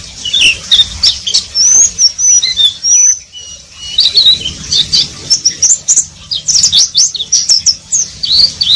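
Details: Oriental white-eye twittering in ngeriwik style: high thin chirps and slurred whistles, a sustained whistle in the middle, then busier chattering bursts mixed with sharp clicking ticks.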